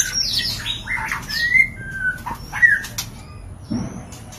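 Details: Mating shama sounds meant to bring on breeding: a few loud slurred whistles and a harsh note, then a low thump and fluttering.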